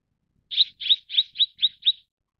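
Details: Six evenly spaced, high, sharp chirps from a Mrs. Gould's sunbird, about one every quarter second, in otherwise quiet surroundings.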